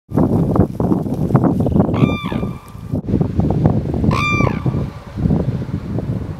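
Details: Red-crowned cranes on Hokkaido, Japan, in March 2012: two loud, clear trumpeting calls over steady wind and rumbling background noise.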